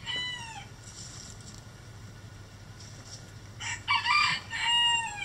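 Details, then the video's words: Rooster in a backyard coop, the tail of one crow fading, distant crowing in between, then a loud, rasping cock-a-doodle-doo with a drawn-out falling end, over a faint low hum. "Chicken Coop Relaxing Rooster Crowing"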